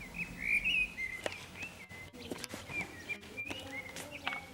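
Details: Common blackbird singing from an antenna in the town centre of San Martín, Zamudio, Bizkaia, on 18 April 2019: a rich, warbled fluting phrase around mid pitch, followed by softer twittering notes, with faint background bird chirps and clicks.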